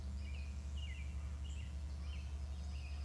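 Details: Bald eagle calling from its nest, recorded around 6:36; thin, high whistled notes slurring downward, repeated in short, loose series over a steady low electrical hum.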